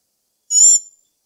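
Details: A single short, high, richly harmonic note from a black-backed tanager, lasting about a third of a second, with a faint lower dipping tone, against silence.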